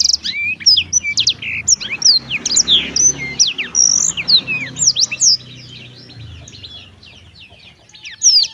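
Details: Black-throated canary in cheerful song: rapid high chirps and quick up-and-down whistled slurs for about five seconds, then a quieter stretch before one final burst, over a faint low hum.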